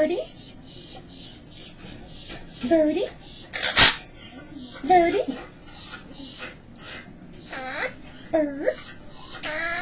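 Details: Seven-year-old female Quaker parrot perched on her owner's shoulder indoors on a Sunday, repeatedly saying the word "bird" in short, clipped phrases. A woman talks to her, a large dog barks from the next room, and a steady high tone runs throughout.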